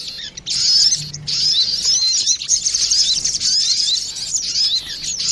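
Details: Male and female crested jay exchanging calls on a luring recording, a near-unbroken stream of thin high whistles and rapid twitters after a brief quiet start.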